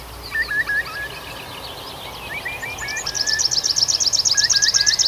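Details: June night in an Arkhangelsk region forest, a bird singing: hooked whistled notes in pairs, a pause of softer twitters, then a long rapid high trill of evenly repeated notes that grows louder.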